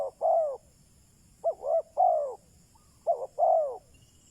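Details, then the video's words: Spotted dove used as a decoy to draw wild doves, giving soft hollow cooing phrases: a quick double note followed by a longer drawn-out coo, the pattern repeated three times over a faint steady hiss. "Chim cu mồi chuẩn thúc bổi, kích bổi nhanh nổi/ Burung Terkukur"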